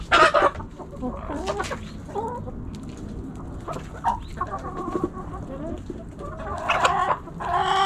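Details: Backyard hens and roosters pecking and scratching: scattered short clucks and squawks throughout, with clicks and rustling from scratching, and a louder, harmonic drawn-out call near the end over steady low background noise.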